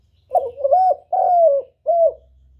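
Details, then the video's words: Spotted dove calling as a trapping lure: one loud three-part phrase, a short doubled hoot, a long smooth coo falling at the end, then a brief final coo. Faint low hum behind. "CHIM CU GÁY CƯỜM CỰC CHẤT, TIẾNG CHIM CU ĐI BẨY HIỆU QUẢ"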